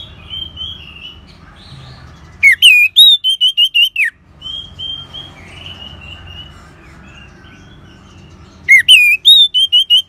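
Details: Orange-headed thrush song from northern Bali, used to stir caged birds into singing: soft warbling, then bursts of loud looping whistled notes repeated in quick series, twice.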